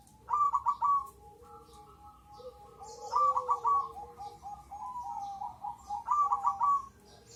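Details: A crossbred zebra dove (perkutut), a strong singer, repeats its cooing phrase about every three seconds. Each phrase is a burst of rapid stuttering notes followed by a long, mellow, sustained coo.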